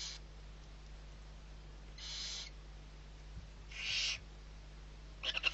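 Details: Barn owls at Riet Vell reserve in the Ebro Delta, Spain, on 21 November 2023, six owlets being fed: broad, breathy hissing bursts about half a second long, repeated at intervals of roughly two seconds over steady low hum.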